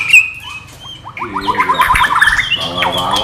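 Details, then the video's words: White-rumped shama, non-gelembung murai batu isian song: a thin high whistle, then a quick run of harsh, grating notes and stuttered trills, more scratchy than melodic. "MATERI BURUNG MURAI BATU NON GELEMBUNG"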